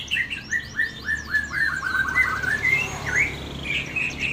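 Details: White-rumped shama singing during a mental test: quick slurred whistled notes repeated about twice a second, each dipping and rising at mid-high pitch, later turning into varied warbled phrases.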